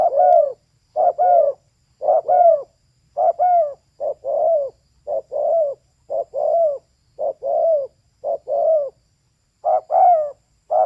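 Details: Female spotted dove repeating brief paired coos almost once a second, each a short clipped note followed by a rounded, falling one. Ten or more phrases are heard in even rhythm with no other sound.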